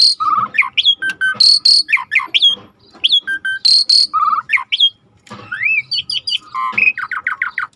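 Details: Vigorously singing suret starling: a dense, varied medley of sharp chirps, rising and falling whistles, harsh bursts and a closing run of quick descending notes.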